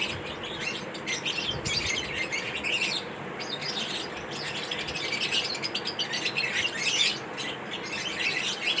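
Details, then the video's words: During food time, pet lovebirds chewing corn keep up a busy stream of high, piercing twitters in loose bursts, with some soft fluttering among the calls. "lovebirds chirping sound"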